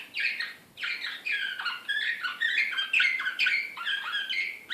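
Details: Serbian Slavujar canary from Belgrade, 2016, singing excitedly in a continuous stream of quick, high, whistled notes, with downward slurs and sharp rising chips. The phrases run together with barely a pause.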